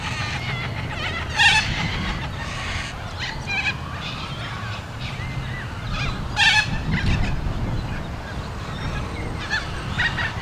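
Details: Young cockatoo begging as an adult feeds it: harsh, buzzy, harmonic rasping calls in short bursts, loudest near the start and again around six seconds, with fainter rasps between, over steady low rumbling background noise.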